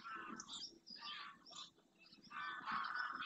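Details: Numerous greylag geese flying back to a lagoon at first light in the marshland of Doñana National Park, Spain, where they winter; dense overlapping harsh honks, several per second, rising and falling from the noisy flock.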